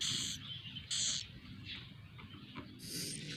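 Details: Young swiftlets calling inside their nest house: drawn-out raspy hisses, two close together near the start and a longer one at the end, over a constant low droning background.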